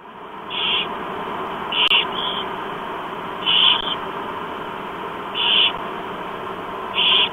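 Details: Four barn owl chicks being fed at breakfast, Chula Vista, USA, 28 October 2015 around 07:29: harsh hissing screeches repeated every second or two over a steady background hiss.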